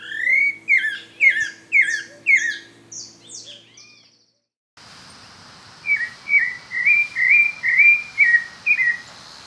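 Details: Pale-breasted thrush (Turdus leucomelas) singing freely in the wild: its melodious breeding-season song of quick, varied whistled phrases about twice a second, a brief pause, then a run of shorter repeated mid-pitched notes over faint hiss.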